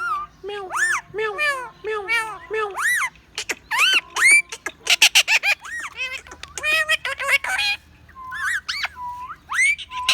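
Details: Ten-year-old male Indian ringneck parrot kept as a pet, talking in Hindi: a rapid string of varied speech-like syllables and whistled, bending notes, some rising and falling, with sharp clicky bursts midway.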